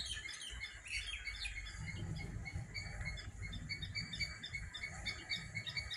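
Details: Birds singing together in the morning, a busy mix of quick high chirps and repeated short tweets layered over one another, with a constant low rumble of background noise underneath.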